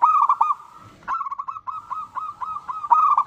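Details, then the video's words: Local zebra dove in full song, used as a lure to prompt other doves to sing; fast run of short, hooting cooing notes at one steady pitch, broken by a brief pause before the series resumes. "Perkutut Lokal Gacor Suara Paling Ampuh Untuk Pancingan Burung Perkutut Agar Bunyi"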